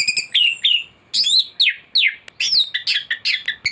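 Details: Master-recording thrush song for training birds and drawing out their song: a dense, energetic stream of down-slurred whistles, bright chirps and quick twittered notes, phrases following each other within fractions of a second against a low constant hum.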